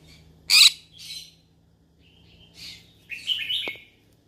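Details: Yellow-sided conure calling for friends to chat with: a sharp loud squawk, a softer chirp, a pause, then a further chirp and a run of buzzy warbled notes.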